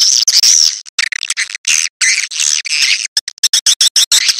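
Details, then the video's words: Swiftlet lure call, played near nests to test how swiftlets respond around the nest site: dense bursts of harsh, high chattering twitters, broken into rapid choppy pulses toward the end, with no other sounds. "SUARA WALET SENJA"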